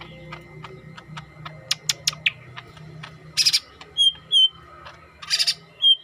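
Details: Yellow-headed green leafbird giving scattered sharp chips, then harsh buzzy bursts and clear slurred whistles, with a low background hum.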